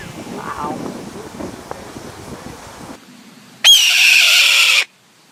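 A Red-tailed hawk gives one hoarse, rasping scream, just over a second long, that starts sharply and stays harsh. It is preceded by a few seconds of faint outdoor murmur.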